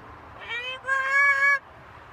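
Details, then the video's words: A pet macaw on a home balcony speaks a short two-part phrase in a harmonic, human-like voice, about one second long, following an owner's affectionate words. "Our talking Macaw"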